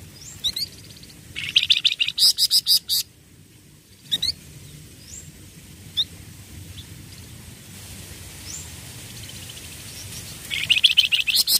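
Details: Flamboyan songbirds kept together as a group, giving clusters of rapid, high, buzzy chirps in short bursts near the start and end, with a few single sharp chirps between and a low background rumble.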